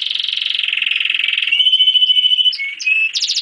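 German crested canary singing a fast, buzzy rolling trill that turns into a steady high whistle, then ends in quick varied chirps.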